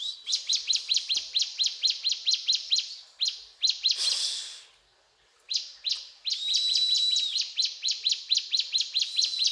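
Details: Mountain tailorbird (ciblek gunung) delivering cetrakan song: quick bursts of piercing high notes, a short noisy gap near the middle, then a thin whistle and more rapid chattering.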